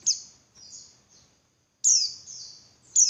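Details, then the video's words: Female Javan white-eye calling as a lure so males sing more persistently: loud, very high, sharply descending notes, each followed by softer trailing notes, three strong calls spaced roughly one to two seconds apart. "Suara Burung Pleci Betina Buat Pancingan Pleci Jantan Biar Ngalas Lebih Ngotot"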